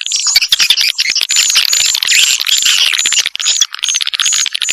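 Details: Vietnamese "janda" swiftlet lure sound: rapid chattering twitters under a series of thin high whistled notes repeated roughly every half second, loud and unbroken.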